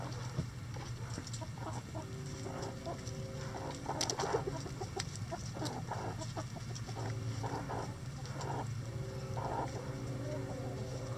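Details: Chickens in a coop on a sunny day, giving repeated harmonic clucks and drawn-out cackling notes in short bursts over a steady low hum, with scratching and scattered clicks in the background.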